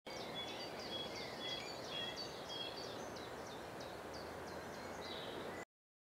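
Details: Dunnock recorded on 28 April 2021, giving a quick, steady run of thin, high notes for about five seconds over a constant background hiss.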